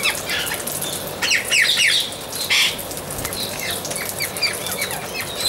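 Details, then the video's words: Amazon parrot uttering harsh, raspy squawks in two short bursts, the second a single loud screech, with steady hissing noise and scattered fainter chatter behind. "Amazon Parrot"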